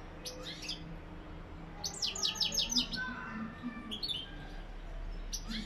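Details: Goldfinch singing in the "lak lak" song style: scattered bursts of high twittering, then a quick run of descending chirped notes near the middle and sharp notes near the end, over low murmuring, voice-like sounds.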